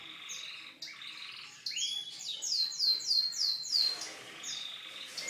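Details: Canary singing a song described as unique: opening whistles, then a rapid series of bright repeated high descending notes, roughly four per second, followed by softer chirps.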